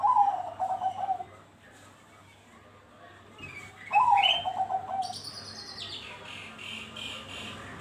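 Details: Bangkok zebra dove singing to encourage other doves to sing: two pulsed, rolling coo phrases about three seconds apart, followed by a burst of high, rapid chirping from other birds.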